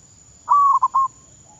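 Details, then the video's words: One clear zebra dove coo, a perkutut decoy bird in training in Thailand, starting with a long even note and ending in two short pulses, over low rumbling background. "ฝึกซ้อมนกต่อเขาชวา เพื่อนไทยและมาเลเซีย รับฟังเสียง"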